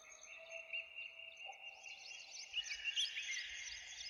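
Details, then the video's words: Morning birdsong in woodland near a village: overlapping high chirps and sustained whistled tones, the chorus growing busier and louder in the second half. "Morning Breeze Birds Chirping | birds sounds in the morning"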